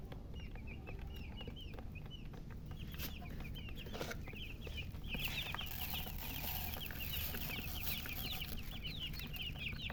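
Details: Chicks chirping: many small, high, downward chirps overlapping through the clip, rising in density toward the second half, over a steady low rumble and occasional clicks and knocks.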